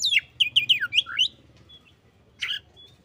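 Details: Oriental magpie-robin answering a hesitant rival: a rapid string of about six swooping whistles, a silent gap over low background hum, then one buzzy note.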